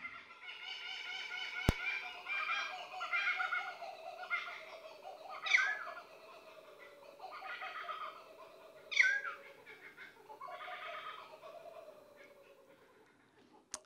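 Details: Kookaburras laugh in the background in a rolling chorus of raucous, cackling bursts that rise and fall every second or two, with a voice speaking softly underneath.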